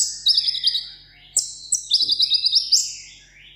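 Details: Kept sunbird in Vietnam in solo contest song: two rapid, high, rattling trills separated by a sharp upward-sliding whistle, all bright and piercing.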